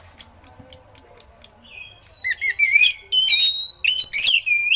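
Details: Oriental magpie-robin singing with eagle-call imitations, a caged songbird recording meant for training other birds; short sharp chips at first, then loud, varied whistled and buzzy high phrases sweeping up and down.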